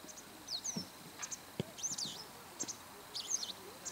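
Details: White wagtail calling from a rooftop in the evening, giving sharp, high twittering chirps in short bursts about every one to one and a half seconds; the voices of nearby children and a faint low rumble are in the background.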